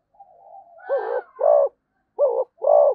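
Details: Zebra dove: a soft drawn-out murmur, then four clear mellow coos in two pairs, rounded and slightly falling.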